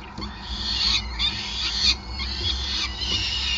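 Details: Feeding time at a peregrine falcon nest in Groningen, Netherlands, on 5 May 2020: shrill, strained wails pulse roughly once a second, loudest around two seconds, with constant low background rumble.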